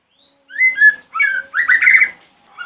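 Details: White-rumped shama singing in the morning, a lure to make other shamas answer: a run of clear whistled notes followed by a rich, rapid warbled phrase at middle pitch.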